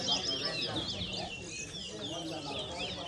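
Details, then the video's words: Competition singing by a twa-twa, or chestnut-bellied seed finch, at a Berbice bird race in New Amsterdam, Guyana: fast, high, sweeping chirps and trills, closely packed, with crowd chatter underneath. "TOWA TOWA BIRD RACE"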